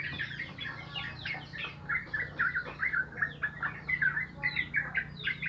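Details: Sooty-headed bulbuls in the morning, doing their 'morning exercise': a busy stream of short chirped and whistled notes, several each second, with overlapping high chirps from other birds and a steady low hum underneath.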